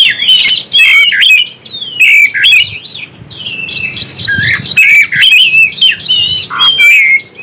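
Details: Loud oriental magpie-robin song aimed at provoking other magpie-robins, mixing long whistled phrases, buzzy slurs and rapid chips in a lively, almost unbroken flow, with a faint low hum beneath.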